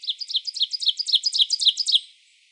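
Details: Ovenbird, eastern United States, singing a fast even series of about fifteen repeated chipping two-note phrases, about one every eighth of a second, strong throughout and stopping abruptly.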